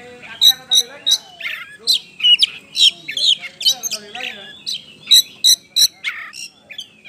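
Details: Oriental magpie-robin singing to set other birds singing: loud sharp chattering bursts about every half second, mixed with short whistles, over a softer low murmur in the background.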